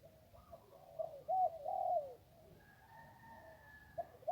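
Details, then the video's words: Zebra dove singing along the Ping River. It gives a run of resonant, rolling coos, rising and falling in quick bursts. A steady, higher-pitched whistled tone enters near the end, and soft background noise continues throughout. "นกคูอ่างเจ้าเสน่ห์ริมปิง ได้นกโล่ง 1กุกขันเพราะๆ"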